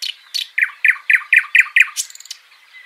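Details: Backyard bird in Washington State delivering a quick series of about eight bright, clear chirps, each dropping slightly in pitch, spaced roughly a quarter second apart, ending in a few softer notes.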